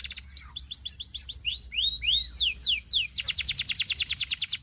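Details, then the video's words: Singing canary: a series of clear whistled downslurred notes, each sweeping down, quickening in pace, then breaking into a loud rapid trill of sharply repeated notes. "Υour Canary Will Sing UNSTOPPABLY"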